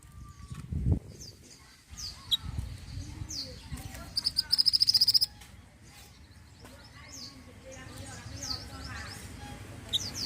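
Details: Pied triller (mantenan) singing a brief, rapid high trill of evenly repeated notes lasting about a second, set among scattered short high chirps, with low rumbling background noise and a few thuds.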